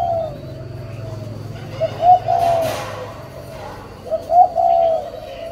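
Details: Spotted dove parent birds cooing: two low, soft coo phrases, each a short note or two followed by a longer drawn-out coo, about two seconds apart, over a steady low hum.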